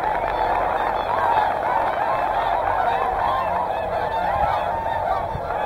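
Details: A loud, steady din of honking from a large gathering of Whooper and Tundra swans at Hyoko, Niigata, the calls layered thickly over faint low background noise.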